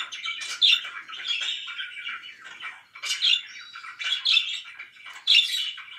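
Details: Pet budgerigars chirping loudly: scratchy warbling punctuated by sudden sharp, high chirps roughly once a second, in an irregular, chattering rhythm.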